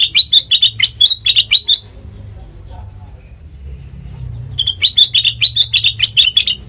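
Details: Song of a sooty-headed bulbul, played as a lure for training birds: two lively runs of crisp, rapidly repeated chirps, about two per second, separated by a few seconds of quiet low hum.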